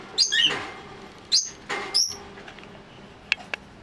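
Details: Elderly female lovebird, a white-faced American mauve cinnamon kept as a pet indoors, acting territorial and banging her cage: a few sharp high chirps and squeaks, then two brief clicks near the end.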